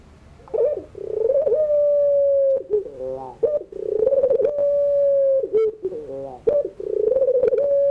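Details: Collared dove of the puter pelung type cooing at dusk: wavering lead-in notes, long level coos, and quivering broken phrases in between, repeated several times.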